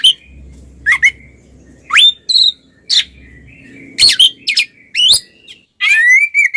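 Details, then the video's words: Twin Oriental magpie-robins singing in the loud, open ngeplong style, used to provoke silent magpie-robins into singing. Separate rich whistled phrases with steep rising and falling sweeps and some buzzy notes come in bursts roughly every second, over a faint low hum. "suara burung Kacer kembar NGEPLONG bikin Kacer bisu ikutan panas"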